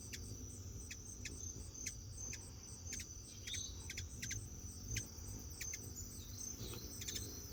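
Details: Several hummingbirds talk to one another as they are hand fed, giving dry ticking chips in irregular bursts and a brief squeaky note, with a constant shrill insect hum in the background.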